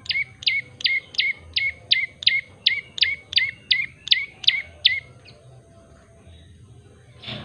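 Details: Common tailorbird, locally called prenjak lumut, singing lively and clear: an even run of about twelve sharp, high chirps at roughly three per second, then stopping, followed by quiet background.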